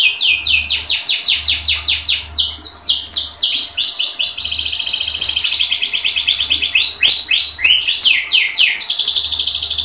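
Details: Oriental white-eye (pleci, dakun type) singing in the tembakan style with open beak: a dense, unbroken torrent of high, rapid twittering notes and sweeping whistles, with a faint low hum underneath.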